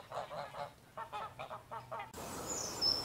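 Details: Greylag goose giving a run of nasal, resonant honks in quick groups of about three, repeated for two seconds, then the calling stops and a hissing, noisy background takes over.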